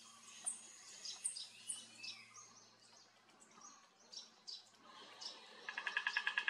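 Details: Speckled piculet giving thin, very high ticking notes, ending in a quick run of sharp, evenly spaced notes, with other birds chirping softly behind; recorded 21 April 2022 at a bird campsite around Koyna Wildlife Sanctuary, Western Ghats, India.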